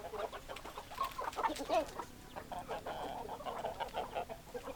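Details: A chicken flock gives dense, overlapping clucking, with short broad notes tumbling over one another and no clear crow.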